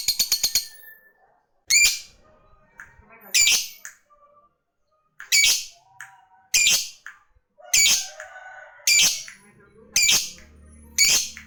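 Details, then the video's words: Lovebird calling a rival: harsh, high squawking bursts, each about half a second long, given at irregular intervals of one to two seconds, with a quick stuttered run of short notes at the start. "Suara Burung Lovebird Gacor Ngekek Memanggil Lawan, SANGAT AMPUH bikin Lawan ikut Ngekek Panjang"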